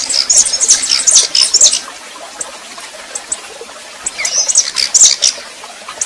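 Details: Red-pileated finch female singing in male style while warming up: a rapid high twittering phrase, a quiet gap of about two seconds, then a second shorter burst of sharp, high chirps, with faint clicking noise between.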